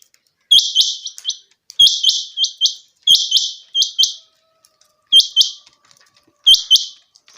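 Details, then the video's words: Common quail in a summer meadow giving its repeated call: crisp, high, liquid phrases of three quick clipped notes, sounded about every 1.3 seconds over near silence, some phrases broken into a single note and a pair. "Common Quail. bird sounds from summer meadow"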